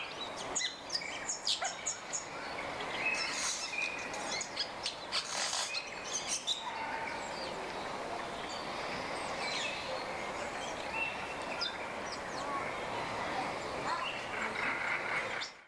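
White-headed buffalo-weaver giving harsh, squeaky chattering notes in quick irregular bursts, easing into a steady rasping chatter over a noisy outdoor background.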